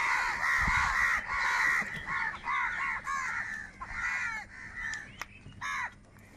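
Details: Crows fighting for food, harsh cawing in a fast series that gradually fades, with a few sharp clicks near the end.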